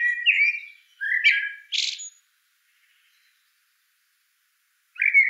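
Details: Chopi blackbird singing a few slurred whistles and then a dense buzzy burst. A quiet gap of nearly three seconds follows, and a new rising note starts at the end.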